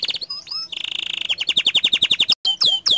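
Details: Loud gacor canary: chips and upslurred whistles, then a rapid even trill of high notes. After a brief gap come several ringing downward sweeps.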